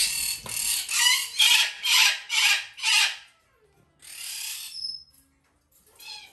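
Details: A female lesser sulphur-crested cockatoo chick, still hand-fed three times a day, gives harsh, hissing rasps about twice a second. It gives a run of six, then one longer drawn-out rasp and a faint last one.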